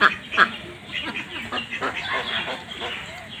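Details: Two loud, rasping quacks open the clip from pond-farmed ducks, followed by softer scattered quacking and low background chatter.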